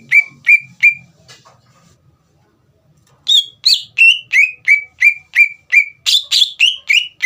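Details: Greater green leafbird song used to goad another leafbird into replying: three clear downslurred whistles, a quiet gap, then a long fast series of loud whistled notes, some richer and buzzier, about three per second.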